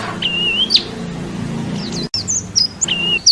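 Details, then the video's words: Song of a national champion white-eye (pleci) used as masteran training audio: long wavering whistles, high thin slurred notes and short chips, with a steady low hum underneath. "Masteran wajib pleci juara nasional"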